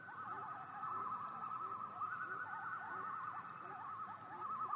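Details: Common loon giving a long, wavering tremolo, a rapid quavering warble that rises and falls steadily for the whole stretch against a soft, low background hiss.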